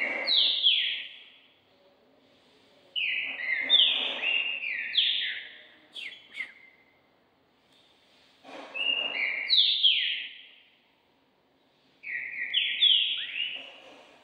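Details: Green-winged saltator trained for song contests, a Brazilian champion being prepared for the season. Four bright whistled phrases of stepped, downward-slurred notes, each about two seconds long, separated by short pauses, with faint clicks between.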